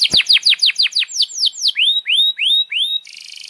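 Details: Vigorous canary song, a tutor for young canaries: sharp descending whistled notes repeated rapidly, slowing into four rising slurred whistles, ending in a buzzy rolling trill.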